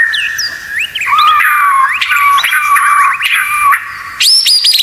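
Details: White-rumped shama tutor song, full of rapid 'tembakan' filler phrases: loud whistled notes rising and falling, sweeping upward slurs near the end, clear strong phrases with brief pauses.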